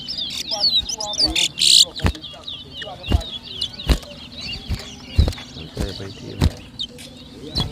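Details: Seed finch (towa towa) in a Berbice, Guyana whistling competition, 2023. Rapid high twittering whistles run throughout, with one loud buzzy burst early on and frequent sharp knocks.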